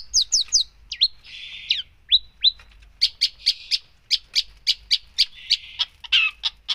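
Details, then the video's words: Long-tailed shrike delivering a busy 'full isian' song. It opens with high squeaky descending notes and a harsh buzz, then a rapid, fairly even string of short sharp chirps, some with a buzzy note beneath. "cendet gacor full isian"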